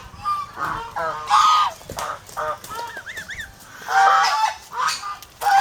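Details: Over-protective flock of domestic geese, Philippines, with scattered honks: steady nasal tones, a sequence of peaked rising-falling notes in the middle, loud blasts returning toward the end.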